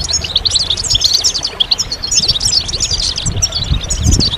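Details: Group chorus of European goldfinches meant to spur moulting males to sing; busy high-pitched chattering trills run throughout, with low thumping noise in the background.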